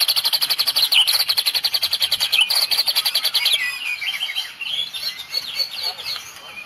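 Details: White-rumped shama song in the Medan style, with cililin fill notes: a fast, evenly pulsed series of sharp high notes for about three seconds, then softer, varied warbling twitters that fade away.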